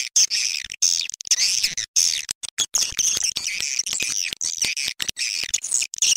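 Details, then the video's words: Swiftlet calls from a lure recording made to attract swiftlets: choppy runs of high, thin twittering chirps, each burst cut off by quick pauses in an irregular stop-start rhythm. "Suara panggil walet"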